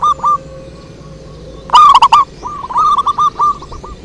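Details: Zebra dove lure song. Faint cooing notes lead into one loud, ringing burst of rolling coos, followed by a steady string of softer, evenly spaced bubbling notes.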